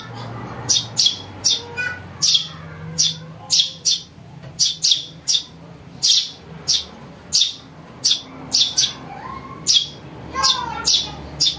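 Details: Young house sparrow calling, a recording meant for luring birds: a steady run of scratchy, high chirps, often doubled, spaced about half a second apart, over soft background whistling.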